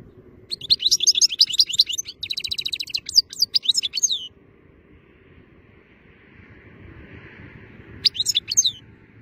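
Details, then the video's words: In pleasant weather, a European goldfinch delivers a lively run of rapid twittering notes and a short buzzy trill for about four seconds, then falls quiet before a brief final twitter. "Gūzel havada şarksını sergileyen saka kuşu"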